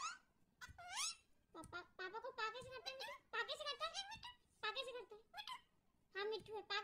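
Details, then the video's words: Pet parrot talking indoors, possibly a ringneck: a run of squeaky, speech-like mimicked phrases with bending, wavering tones in short bursts separated by brief pauses. "talking parrot!"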